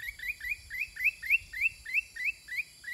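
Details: Caged sooty-headed bulbul singing back at wild birds at length: a steady run of short, bright, upward-sweeping notes, about three per second, over faint high steady ringing tones in the background.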